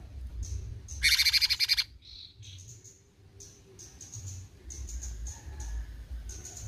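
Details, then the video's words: A short, loud burst of rapid pulsed rattling from an active cucak cungkok bulbul in besetan style, set among quieter high thin notes and soft background chirps. "Besetan Cucak Cungkok Gacor"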